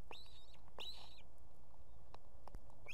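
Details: Female osprey at a nest with two chicks in Estonia, 18 July 2016, calling the male to bring food: two sharp whistled notes sliding up and levelling off high, then a third starting at the end, over steady low rumble.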